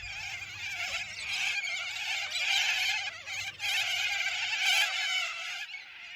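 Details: A large cockatoo flock at Khancoban, on the lower Snowy Mountains slopes, on a foggy morning, keeps up a continuous din of harsh screeches. Little corellas dominate with the higher-pitched calls, and sulphur-crested cockatoos give the harsher ones, over a faint low hum.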